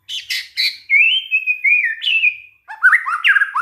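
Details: White-rumped shama singing in a lure recording meant to make other shamas respond: harsh chattering notes, then a long smooth gliding whistle, a short gap, and a quick series of rising, bouncing whistles.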